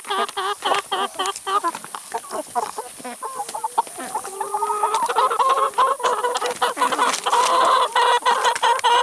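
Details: Several chickens eating salad and vegetables give overlapping harmonic clucks and drawn-out tonal calls, quick and irregular, building to a dense chorus, with laughter and music faintly in the background.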